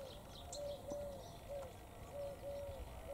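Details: Wild bird from Jericho, Palestine, said to have a noisy voice, gives short level whistled notes in an uneven series of about six, over faint high chirping and steady background hum.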